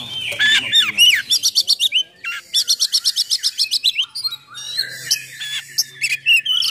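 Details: Fast-paced oriental magpie-robin song packed with harsh filler phrases, meant to rile and train other magpie-robins; dense runs of clipped, repeated high notes, whistled slurs and rasping bursts delivered almost continuously.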